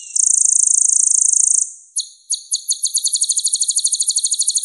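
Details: A steady, buzzy, high reel from a purple-throated sunbird, locally called kolibri ninja, followed by a few separate notes that build into a fast, regular trill of about five notes per second.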